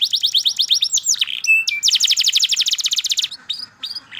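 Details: Caged kenari canary delivering a loud, rolling trill of quick repeated chirps, then short whistled notes and a dense rattling run of high syllables.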